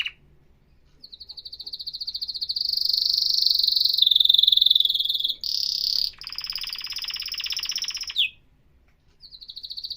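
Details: Professional canary song: one sustained, very rapid rolling trill that swells in loudness for several seconds, shifts to a rougher, lower buzzy rattle, stops abruptly, then resumes softly.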